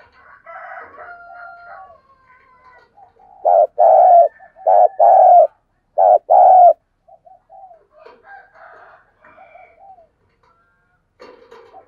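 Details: Decoy spotted dove giving its calling and provoking style of cooing, used to draw a response. Soft, faint coos and thin whistles give way to a string of loud, deep coos in close pairs, then quieter cooing trails off.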